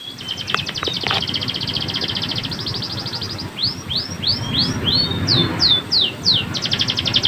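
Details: Canary song used as a tutor recording for training other canaries: rapid buzzy trill, then a string of arched whistled sweeps about twice per second, then another fast trill, over a low steady hum.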